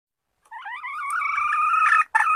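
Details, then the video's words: Red junglefowl hen calling a single long, strong note that wavers at first and then holds steady, ending in a brief harsher note. "Malupit na kakak ng inahing labuyo | Powerful sounds of forest hen chicken"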